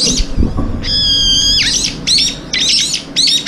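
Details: Brown-eared bulbuls crowding in for a long-awaited morning meal and fighting over it give a long, level, metallic screech that drops off sharply, followed by four quick, harsh chattering calls in a row.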